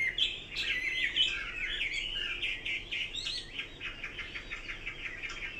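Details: Chinese hwamei song with bright whistled slurs and warbles, then a fast even series of short repeated notes, roughly eight in a row, fading slightly toward the end.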